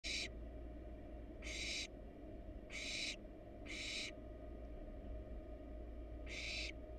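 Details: Wild barn owl nestling in a monitored nest box, casting a pellet. Harsh, broadband hissing bursts, each about a third of a second, come at uneven gaps over a steady low hum.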